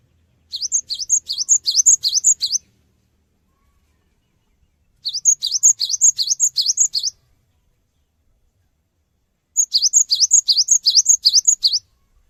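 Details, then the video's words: Cinereous tit lure song meant to get other birds to respond: three evenly spaced bursts of roughly ten rapid, high, rising whistled notes, each burst lasting about two seconds, with clean silence between them. "GELATIK BATU GACOR | Pancingan Suara Burung Gelatik Batu Cepat Respon"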